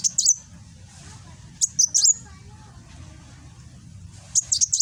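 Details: Sunbird called kolibri wulung, East Javan recording from Gresik on an Android phone: short groups of two or three very high, sharp chirps, widely spaced with quiet gaps, faint hum below.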